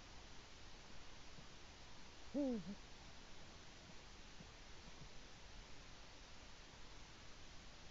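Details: Male Eurasian eagle-owl at its nest in Latvia, filmed by a nest camera around 6:22 am on 5 March 2018, calling for its mate: a single short, low, arched hoot, rising then falling, against steady background hiss.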